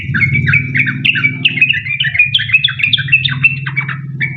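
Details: Sooty-headed bulbul in 'ropel panjang' long song, a lure to make other bulbuls sing; fast run of clear whistled and chattering notes, evenly paced, over a constant low droning hum.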